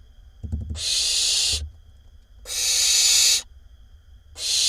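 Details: Barn owl nestling calling in a nest box in Israel, 20 May 2021, one of six chicks disturbing a sibling; harsh, broadband hissing screeches about a second long, three in quick succession, with soft low thumps and shuffling before the first.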